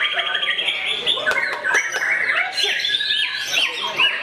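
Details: White-rumped shama, a captive songbird, singing while attacking a rival: dense, harsh chattering and squawky phrases mixed with rapid whistled trills and sweeping notes, with several sharp clicks and possibly other birds calling nearby.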